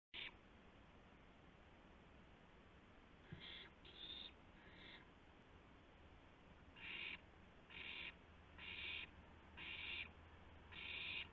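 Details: Owl at night on a live nest camera, 2:51 AM on April 2, 2016, as a gopher is brought as food; harsh, hissy screeching bursts, first sparse, then repeated roughly every second, over steady low background hum.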